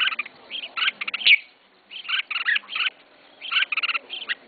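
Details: Caged red-whiskered bulbul, first bird of a new keeper, delivering rapid clusters of chirpy warbled notes in quick bursts separated by short pauses.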